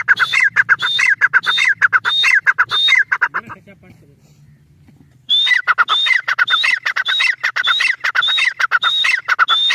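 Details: Repeated harsh whistled phrases of a Grey francolin in fast rhythm, a brief low murmur and lull midway, then a long, steady run of the same ringing calls.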